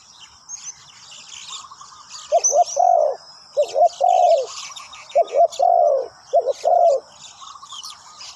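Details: Spotted dove used as a decoy on the ground to lure wild birds, giving low cooing phrases in three bursts of two to three notes, with thin high chirps of other birds throughout.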